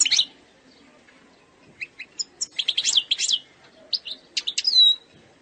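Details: Algerian European goldfinch singing in the eastern sector style, described as free of errors: a high twittering burst, a quiet pause, then scattered sharp chips building into rapid buzzy trills and a clear falling whistle at the end.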